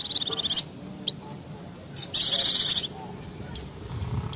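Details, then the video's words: Noisy mountain white-eye call meant to lure wild white-eyes and other small birds: two bursts of very high, rasping, fast-pulsed chatter separated by brief sharp high notes. "Suara Pleci Ribut Sangat Ampuh Pikat Pleci Liar Dan Burung Kecil Lain nya"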